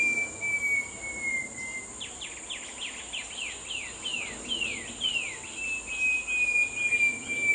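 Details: Short-tailed babbler, Malacocincla malaccensis: a run of about a dozen quick, clear whistled notes, each sliding downward, given over three seconds against a steady high insect drone and a thin continuous whine.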